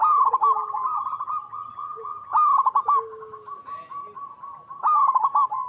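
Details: Zebra dove, local bird singing strongly in its natural habitat: loud rapid coo phrases roughly every two and a half seconds, linked by continuous softer trilled cooing and occasional low notes.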